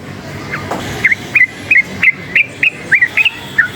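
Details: Energetic yellow-vented bulbul, forest-type, excited by loud noise, delivering a rapid series of short whistled, slightly bending notes, roughly three a second, over steady background hum.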